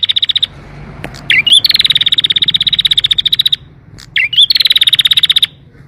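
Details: Canary with a clear, ornate long rolling song used to encourage quiet canaries to sing: bursts of very fast high trills, each opened by a short rising twisted whistle, repeated twice with brief pauses between.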